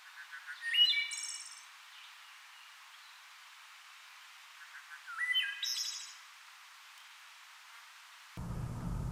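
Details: Wood Thrush song in April, Fauquier County, Virginia, nesting in tall shady woods: two flute-like phrases, a few low notes rising into a bright trilled flourish, about four seconds apart; low rumble at end.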